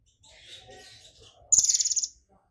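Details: Brown-throated sunbird, excited, giving a single very high, rapid pulsed buzz of about half a second, in its song with mimicked golden grasshopper song, after a soft rustling hiss.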